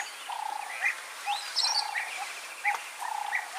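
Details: European bee-eater (Merops apiaster), a passage migrant in Kenya, gives short, rolling, liquid 'prruip' calls several times, over low buzzy pulsed trills and a few high thin chirps from other callers.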